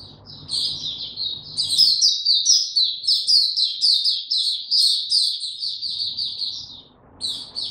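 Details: High, fast twittering song from a caged white-eye given no supplements, in power down mode, 29 April 2022. Notes tumble in a dense run after a brief quieter start, with soft low rumble at the edges.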